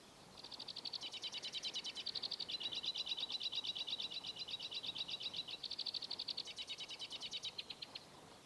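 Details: White-winged Crossbills in the woods, giving their full repertoire of dink-dink and jip-jip calls, with one singing a long, fast trill of high, dry notes that varies up and down in pitch, running steadily for about eight seconds.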